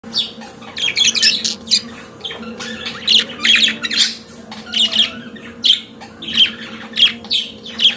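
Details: Pet budgerigar singing: a busy warble of scratchy, squawky chirps and short buzzy notes, bursts coming roughly every half second with brief pauses, over a steady low indoor hum.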